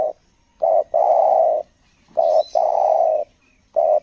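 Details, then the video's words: Selang nguku gagap coo of a spotted dove, or tekukur, at a Lombok luring session: loud, clear hoarse phrases of a short note then a long steady coo, about every two seconds; a faint high bird chirp. "PIKAT TEKUKUR SELANG NGUKU GAGAP"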